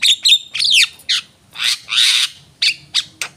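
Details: Javan myna in full song: short bursts of harsh, scratchy squawks and a buzzy drawn-out rasp, broken by brief pauses, with nothing else clearly heard.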